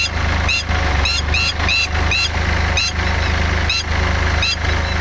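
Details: A female Red-wattled lapwing defending her eggs in a rice field in Kamphaeng Phet, Thailand, on May 11 gives sharp, high, piercing alarm notes in irregular bursts of one to three at a ploughing tractor, over its loud, steady engine rumble.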